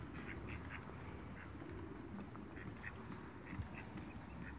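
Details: A pair of mallards (Anas platyrhynchos) gives low, raspy quacks and soft chattering notes in short repeated bursts over a steady background hum.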